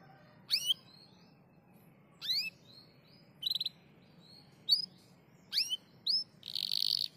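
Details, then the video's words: Canary answering a lure recording: short separate chirps and upsweeping high notes in brief bursts about a second apart, ending with a harsher buzzy burst, over a faint low hum. "Pancingan kenari langsung nyautt.."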